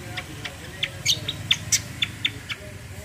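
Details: Cucak in combination-style song: a quick series of short, sharp high chirps, roughly four per second, with a few brighter ringing notes, over a low background hum.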